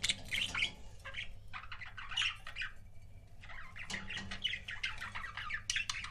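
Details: Pet budgerigars in pairs keep up busy, scratchy warbling and squawky chirps in long overlapping bursts, with a low hum in the background.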